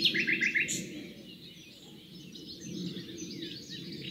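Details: Common nightingale singing in the Rawka river valley near Doleck, Poland: a rapid burst of four sharp repeated high notes, then a pause with faint distant song and low background rumble.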